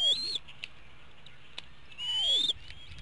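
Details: Eaglets calling at dinner time in an eagle nest at Hanover, Pennsylvania, April 2017; two loud, piercing whistled squeals about two seconds apart, each with a softer falling tone beneath, separated by faint clicks.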